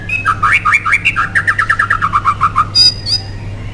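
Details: White-rumped shama singing, used as a lure to stir other shamas into song: rapid series of paired rich whistled notes alternating high and low, about twenty in sequence, ending with a couple of sharp high upslurred notes over steady low hum.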